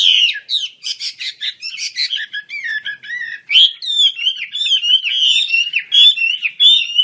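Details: Wing-opening Chinese hwamei, a Wambi Kembang bird in full voice: a rapid stream of clear whistled notes, some buzzy and clipped, others long rolling slurs, loud and continuous.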